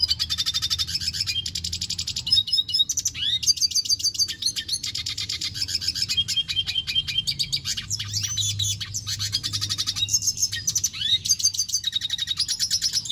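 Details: Lengthy, nonstop Red siskin song, a dense high twitter of rapid repeated notes broken by rising slurred whistles and buzzy trilled passages, delivered energetically without pause.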